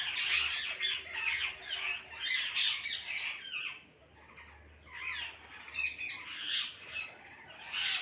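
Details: Many parrots squawking together in near-constant harsh chatter, rapid overlapping raspy notes, a short quieter stretch midway, then renewed loud calling.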